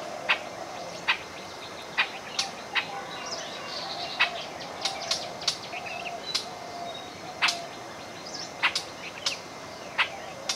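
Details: Rubythroat, a migrant from Siberia to India that prefers bush habitat, recorded in Gouripur, Murshidabad, West Bengal, giving sharp, dry ticking notes about once a second with faint thin warbles between, over a steady high hum.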